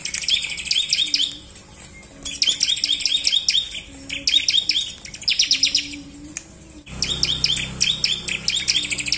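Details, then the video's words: Bar-winged prinia lure song meant to stimulate singing: three loud bursts of rapid, high, ringing chirps separated by quieter gaps where a soft low whistle repeats, over a steady faint hum. "CIBLEK Gacor!! Pancingan Ampuh Ciblek Malas malasan"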